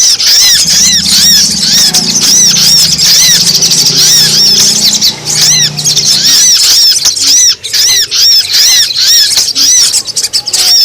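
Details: Busy sogon chatter played to lure wild birds down: rapid, repeated arched high notes packed tightly together, with a low engine-like hum underneath for the first six seconds.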